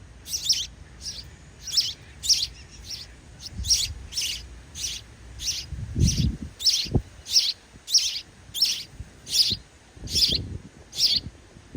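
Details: High, piercing chirps from sparrow chicks begging as parents bring food, repeated rapidly and steadily, nearly twenty notes, with occasional low thumps and rustling in the background.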